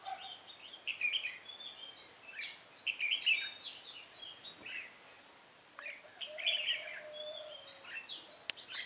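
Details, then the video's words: Decoy red-whiskered bulbul singing to attract wild birds at a trapping session on 8 October 2017; rapid warbling, chirpy phrases repeat in clusters, followed by a long drawn-out lower whistle and more quick notes. "Bẫy chào mào em bổi Lưng gù"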